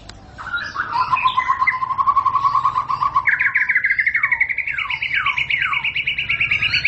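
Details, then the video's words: A white-rumped shama delivers a rapid, even trill that steps up in pitch partway through, broken by several clear downward-sliding whistles, all rich and ringing. "Murai batu bakal langsung ngentrok"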